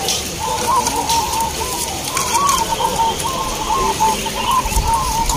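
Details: A locally bred zebra dove (perkutut) at a song contest at Borobudur, Magelang, Central Java, sings a run of soft, bubbling cooing notes, rolling steadily over a constant hiss like rain or distant crowd noise.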